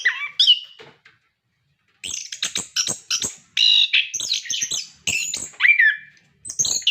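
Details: Orange-headed thrush in active song, used as a prompt for captive birds: a short opening phrase, a pause, then dense bursts of varied high notes, clicks and downslurred whistles.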